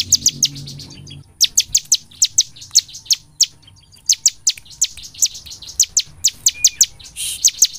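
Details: Gacor nembak song of the ciblek, or bar-winged prinia, used to draw birds into singing day and night: a nearly continuous stream of fast, high, snapping notes, with a soft low murmur in the first second.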